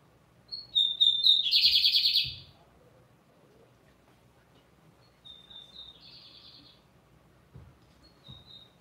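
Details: Lined seedeater singing firmly: sharp whistles leading into a loud, rough buzzing trill, followed after a pause by softer whistles and a quieter buzzy phrase.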